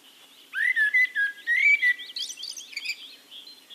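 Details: Singing Eurasian blackbird recorded in Castricum, the Netherlands: a run of low, mellow fluted whistles, several short rising and falling notes, then a scratchy, high twittering flourish that fades into softer notes.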